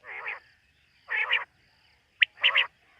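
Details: Quail heard at night giving rough, nasal double notes spaced about a second apart, with one thin sharp note just before the last pair, against silence.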